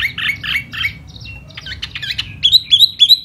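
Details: Laughingthrush singing in spring, a varied run of buzzy chattering notes followed by sharp repeated whistled phrases, loud and close, several elements per second.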